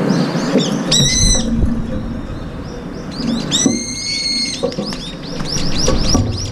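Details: Brown-eared bulbuls feeding together and squabbling over breakfast. Two bold, harsh, descending screeches with stacked harmonics, then a run of short high arched notes, over a low background rumble.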